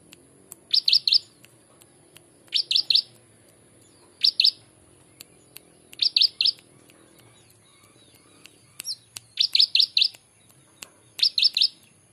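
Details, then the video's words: Prinia imitating ciblek: six short bursts of three to four high, sharp chirps, repeated roughly every one and a half to two seconds with brief scattered clicks between. "masteran handal prejak atas rasa ciblek"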